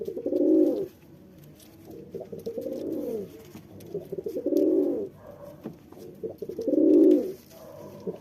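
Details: Courting male pigeon directing low, mellow coos at a female: four swelling, bubbling coo bouts about two seconds apart, with quieter grumbling notes and faint clicks in between.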